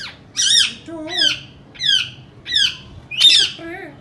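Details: Indian ringneck parakeet indoors giving five loud, harsh, downward-sliding squawks spaced about two-thirds of a second apart, with faint low murmured notes beneath.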